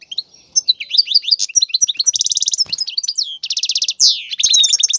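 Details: Continuous breeding song of a caged male European goldfinch meant to push a female to mate and nest: dense high twitters, two loud buzzy rattles, and a sweeping downward note.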